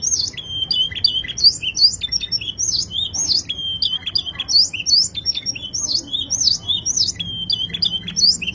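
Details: Canary song with fast, bright, high trills and swooping whistled notes repeated in quick runs, nearly continuous and lively, over a faint low hum.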